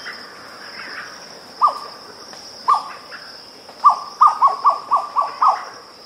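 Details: Grey plantain-eater giving its cu-mcu calls: short, hoarse, downslurred notes, first spaced about a second apart, then quickening into a rapid run of six, with a steady high insect drone throughout.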